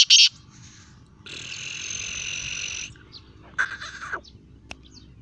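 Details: Black francolin calling: a sharp loud opening note, then a long harsh, buzzy, grating note lasting over a second, followed by a shorter rasping note, with faint bird chirps in the background.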